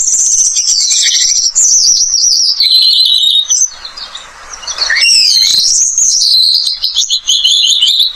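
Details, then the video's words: Australian pipit, known as a pest bird with a melodious song. A rapid high twittering warble with fluttering trills is broken near the middle by about a second of soft rushing noise, then resumes with rising slurred notes and quick chatter. "Emprit Australia, burung hama dengan suara kicauan yang merdu"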